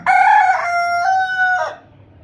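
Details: A single rooster's crow, loud and clear: a brief rising onset, then a steady, strongly harmonic tone held about one and a half seconds, ending sharply. The background is quiet.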